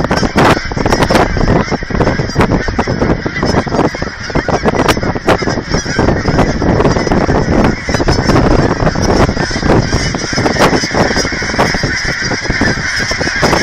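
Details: A vast gathering of geese fed by visitors at a Hereford, Texas aquatic center keeps up a long, intense honking din, dense overlapping calls with frequent sharp peaks.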